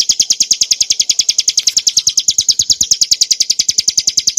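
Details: Bar-winged prinia (Prinia familiaris montana, mountain form), song used as training and provoking material for cage birds, clear ngebren nembak style: a fast, steady trill of bright, high, sharp chirps, about eight notes per second, without pause.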